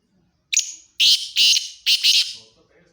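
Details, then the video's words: Black francolin from Khushab: one thin high note, then three loud, harsh, grating bursts in quick succession, sharp and rasping, with near silence around them. "kala teeter ki awaz"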